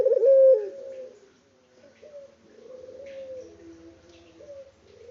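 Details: Unedited call of a local puter dove from Indonesia: one loud rolling coo with a held final note, followed by softer, drawn-out cooing notes.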